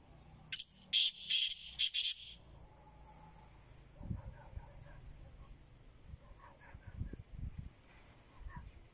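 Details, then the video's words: Black francolin (kala teetar) giving a harsh, grating call of about five rasping notes in under two seconds, followed by soft scattered clicks and low knocks; a steady high insect whine runs throughout. "Kala Teetar"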